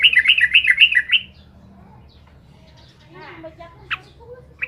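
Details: Trucukan giving a rapid, bubbling phrase of repeated warbled notes for about a second, intended to rile rival birds, followed by quiet with a few faint scattered chirps and a short sharp note.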